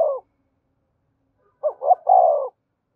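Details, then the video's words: Spotted dove urging coo used to spur singing: end of one phrase, a pause, then two quick low notes and a drawn-out, slightly falling coo. "Tiếng cu gáy thúc gù dùng kích bổi và tập mồi hiệu quả và gáy sung mãn"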